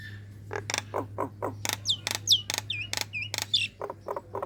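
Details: A female Nias hill myna calling to males gives loud harsh clicks and chacks mixed with short curved whistles, about two notes a second, over a steady low hum.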